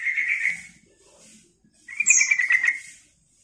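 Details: Sooty-headed bulbul calling to lure birds: a buzzy, grating note, a quiet gap, then a longer rasping chatter topped by a short high squeak.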